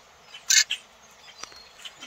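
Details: A flock of 70 or more grackles just north of town, flying between a treetop and seeds on the ground, gives one loud, harsh, rasping squawk, then several fainter scattered chips and creaks.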